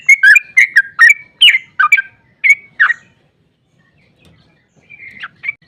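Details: Sooty-headed bulbul 'ropel' song, used to make other bulbuls answer. About ten quick whistled notes in three seconds, then near silence, then a couple of softer rising whistles.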